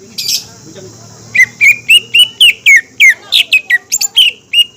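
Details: Green leafbird song used as a lure to make young, spotted juvenile and group-kept birds sing and get excited: a brief high note, a pause, then a fast series of clear whistled, slurred notes near the same pitch. A steady high hiss runs underneath.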